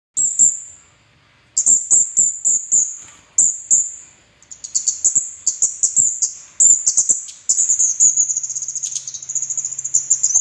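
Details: Orange-headed thrush song used as a lure to get other kept birds singing: high, sharp chattering phrases with short whistled slurs, broken by pauses near 1 and 4 seconds, then a long unbroken run of rapid notes.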